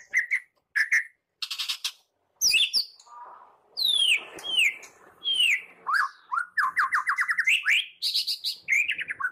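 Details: White-rumped shama in morning song, used as a lure to set shamas singing: clear separate whistles, sharp downslurred notes, then rapid repeated notes building into a fast trill with varied whistled phrases.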